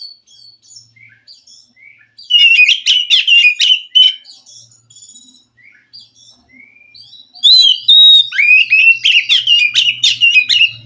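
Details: Wild forest white-rumped shama delivering loud bursts of song: fast chattering, rich whistled phrases separated by soft quiet notes, then another rapid varied outburst of sweet and scratchy notes.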